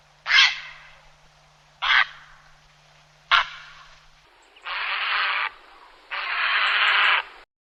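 Grey heron giving three short, harsh croaks about one and a half seconds apart, then two longer, rasping squawks; there is a faint low hum early on.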